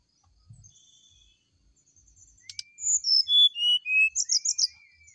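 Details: Brown-chested jungle flycatcher sung in the morning as a lure: a faint thin whistle, a sharp click, then loud pure notes stepping downward, ending in fast high twitters over a soft sustained tone.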